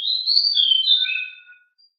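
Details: Very active and noisy pied bushchat delivering one fast whistled phrase: a high, sweet warble sliding downward and fading into a thin trailing note, with nothing else audible.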